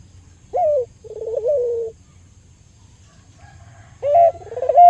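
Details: Albino local Barbary dove used to lure and stimulate other doves into calling: a clear mid-pitched rising coo, then a longer wavering rolled coo, a pause, and the phrase starting again, over a low steady hum.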